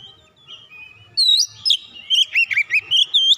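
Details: Heated, provoked Oriental magpie-robin letting out its isian: faint soft notes at first, then a loud rising whistle followed by a fast series of dipping and curling whistled notes to the end.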